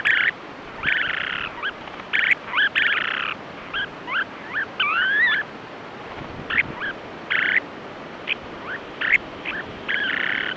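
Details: Snowy Plovers in an aggressive territorial fight, a nesting pair driving off an intruding male: rapid, harsh, burry notes, some rising or twisting, in quick bursts over steady background surf or wind.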